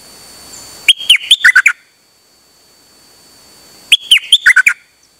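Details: Recorded 8 September 2023, a Dok Taeng bird of the Chao Khan Ngoen type sings nonstop on an uncommon outing. It gives two lively phrases that open with a sustained whistle and then break into quick descending chirps, with a quiet gap between.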